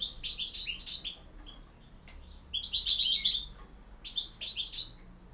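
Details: Goldfinch singing campero style, with three separate bursts of fast, silvery twittering and jingling notes, each about a second long and split by quiet gaps.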